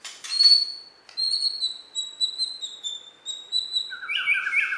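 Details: Borneo white-rumped shama, a champion bird from West Kalimantan, Indonesia, holds long thin high whistles, then ends with lower rapid warbling notes.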